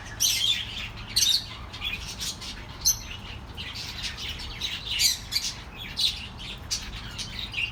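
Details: Chattering pet birds meant to keep lonely birds company: rapid high chirps and scratchy squawks in irregular bursts about every second, with a faint low hum underneath.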